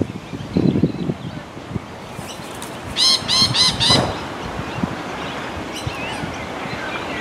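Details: Sulphur-crested cockatoo giving a loud, harsh, rasping screech of a few rapid pulses near the middle, with fainter chirps and background noise before and after.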